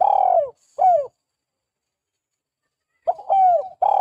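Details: Spotted dove lure call for attracting and training doves: two loud coos that slide downward, a long silence, then a stuttered double note leading into drawn-out falling coos, clean with no other sounds.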